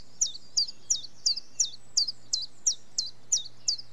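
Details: A continuous, metronomic chiffchaff song of about eleven sharp, high notes, each dipping in pitch, roughly three every second.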